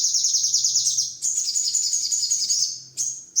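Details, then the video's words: Master song of a Sogon bird for training songbirds: rapid high trills in quick pulses, then a sustained shrill chatter, a short pause, and two final bursts. "masteran #burung sogon"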